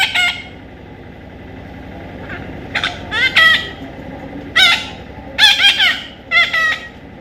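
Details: Baby parrot uttering scattered raspy squawks, single and in small clusters, growing louder and more frequent toward the end over low background noise.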